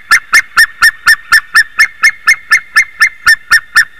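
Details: Early-morning call of a white-tailed eagle, 28 March 2019, 06:26: rapid, regular yapping notes, about sixteen in four seconds, each short and strident, with nothing else audible.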